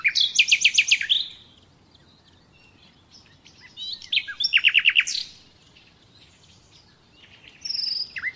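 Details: Common nightingale singing in a recording made to train captive birds: three phrases of fast repeated chirping trills separated by pauses, the last phrase with higher whistled notes.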